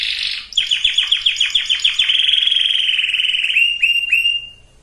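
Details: Breeding-preparation canary song with a brief harsh burst, then a rapid series of downslurred chips merging into a long buzzy trill and a few fading whistled slurs.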